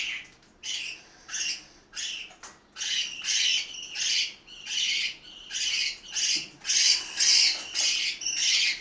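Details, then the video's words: Mealtime parakeets in Itaim Paulista, São Paulo, Brazil, repeat rasping, shrill squawks at a steady pace of nearly two per second, growing louder and denser toward the end. "Periquitos do Itaim Paulista - SP - Hora da refeição"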